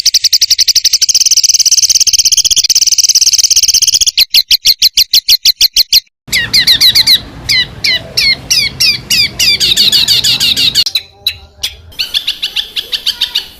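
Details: Small birds with coarse, rapid-fire song, used as tutor material for competition songbirds: dense bursts of sharp repeated chips and buzzy trills, many notes per second, cut abruptly between segments with brief silences.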